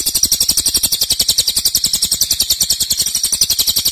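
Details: Cililin nembak song, loud and long, used to tutor songbirds: piercing high pulses delivered quickly and evenly, around four a second, without pause.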